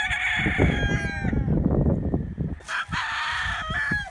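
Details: Roosters crowing among chickens, one long crow fading out, a short rumbling pause, then a loud new crow starting and holding to the end.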